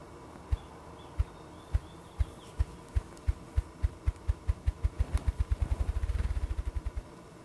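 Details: A male ruffed grouse drums on its favourite log: deep, muffled thumps start about half a second apart, then speed up into a rapid whirring roll and fade out.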